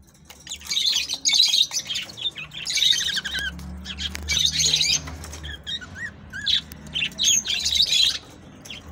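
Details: Australian budgerigar song meant to stimulate breeding: long runs of dense chattering warble with rasping and squeaky notes, a few clear rising whistles near the end, phrases returning every second or so.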